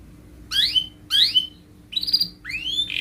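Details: Canary, described as actively singing and used as a lure to make other canaries sing: four loud rising whistled sweeps, each about half a second, over a steady low electrical hum and room noise.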